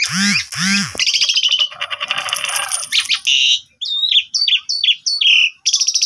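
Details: Asian pied starling singing to stimulate a sulking starling: two low arched notes open, then a harsh rattling buzz, a bright warble and a string of short clipped whistles.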